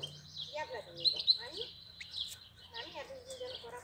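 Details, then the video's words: European goldfinch in April giving a fast twittering phrase: buzzy, layered notes sliding up and down, broken by short pauses, over a quiet low hum. "Cântec sticlele luna aprilie"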